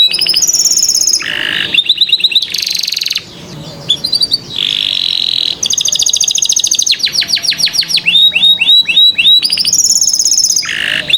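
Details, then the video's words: Domestic canary in full, clear song, played to coax young canaries that are slow to start singing. Rapid buzzy trills, rolling tours and high whistled notes change every second or so. Falling chip series and bright repeated syllables follow without pause. "Pancingan KENARI PAUD malas BUNYI"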